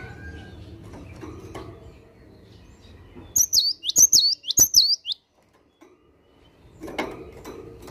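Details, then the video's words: Morning song of a cinereous tit in full voice. After soft background noise, three loud, rapid, high whistled double notes ring out in a row, followed by a pause and a brief low rustle. "Kicauan Gelatik Batu Gacor Dipagi Hari"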